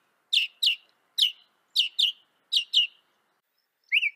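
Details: Northern mockingbird of North America giving paired, downslurred chip notes in a loose rhythm, about seven sharp notes, ending with a higher rising phrase.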